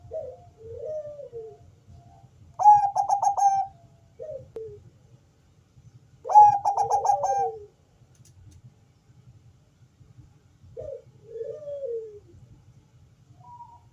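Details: Bangkok-type zebra dove with a thick, deep bass voice, cooing from its perch to lure other doves into calling: two loud stuttering coo phrases about four seconds apart, between softer, lower murmured coos, over a faint low hum.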